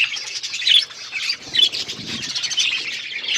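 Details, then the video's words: Budgies at their food keep up busy chirping, a thick mix of high squeaky warbles and short tweets that swell in two louder bursts, with soft low clatter in the background. "Budgies eating food | Birds eating food | Birds chirping sounds"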